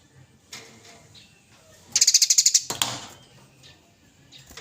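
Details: Eurasian tree sparrow, a masteran recording of fighting, vocal birds picked by judges: one rapid, dry, high chattering burst of about a dozen notes near the middle, with scattered clicks and faint chirps around it.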